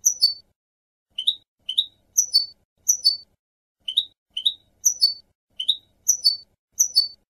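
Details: European goldfinch, 2015 clean-song tutoring recording for young birds. Brief, spaced high notes come in small clusters, alternating sliding upward chirps and falling twitters, with short silences between them. The background is quiet.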